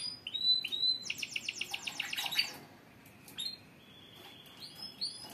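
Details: Canaries in a stimulating group chorus: short whistles, then a fast pulsing trill of repeated notes lasting over a second, followed by softer sustained tones and rising whistles.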